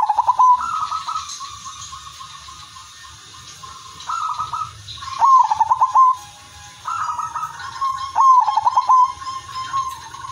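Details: Silver udanmas zebra dove used as a lure for other zebra doves, repeating its melodious song: several phrases of clipped opening notes and bubbling pulsed coo trills linked by held tones, with faint low hum throughout.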